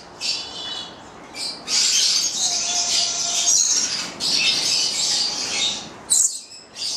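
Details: Captive pair of Papuan lorikeets (goliathina), nine months old, from Italy; sustained shrill, grating squawking in long bursts, a short pause, then further high screeches.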